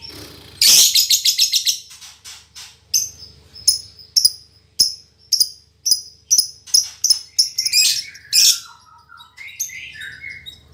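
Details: Female lovebird described as fighter-spirited and very chatty, rivalling males: a loud harsh rasping burst, then a series of short sharp clicking chirps about every half second, ending with lower descending squeaky notes.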